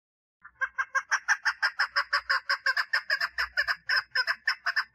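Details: Female chukar partridge giving her mating call: after a short silence, a fast, rhythmic series of raspy clucking notes runs steadily to the end, with a soft low thump midway.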